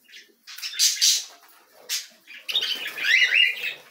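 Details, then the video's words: Feeding of canary chicks: soft rustling and wing flutter first, then a rising burst of harsh, scratchy begging squeals toward the end. "Canários "Alimentando os filhotes"."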